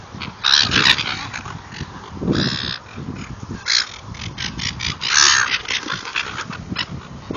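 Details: Noisy gulls at a feeding session: a flock of overlapping harsh, raucous cries in uneven bursts, some longer wailing notes, over low rumbling background noise.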